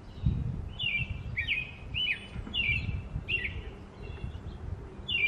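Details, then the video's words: An American robin sings a series of warbled, whistled phrases, each slurring up and down, about one per second, with noticeable low-pitched rumble and thumping noise underneath. "American Robin Singing"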